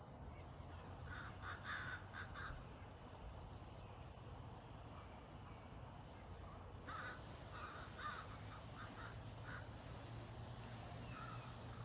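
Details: Crow calling in the background in a backyard, heard alongside a woodpecker: two bursts of harsh, slightly nasal calls, each a cluster of short notes, over a steady high insect buzz.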